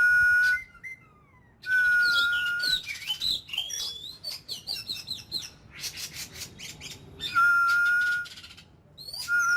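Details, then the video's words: Oriental magpie-robin, an ornamental cage bird, during daily voice training to fire it up ("kích lửa"). Long flat whistles bracket a middle passage of rapid chirps, rasping bursts and twisting high notes. "Chòe than hót,kích lửa.Luyện giọng mỗi ngày."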